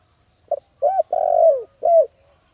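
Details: Decoy spotted dove cooing to call and attract wild doves: a short low note, then a rounded coo, a long drawn coo sliding downward, and a final coo, all deep and mellow, with a faint steady hum behind.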